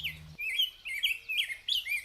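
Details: Rose-breasted Grosbeak along Beargrass Creek, Kentucky, on migration, singing a sweet, rich warble of quick rising and falling phrases, robin-like but smoother, with a brief low hum at the start.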